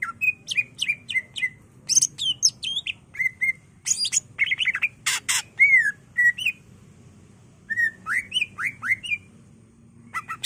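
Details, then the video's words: Leafbird song used to provoke and train other birds: a dense, varied medley of quick chirps, rough squawky bursts and looping whistles, with short pauses between bursts and a quiet background. "Cucak ijo gacor bongkar isian full nembak ampuh untuk pancingan dan masteran"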